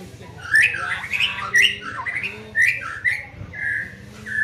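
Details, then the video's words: Young white-rumped shama in training giving clear whistled phrases around mid pitch, rapid slurred notes followed by steadier held whistles, in loud bursts over a low constant hum. "Melatih Mental Murai muda"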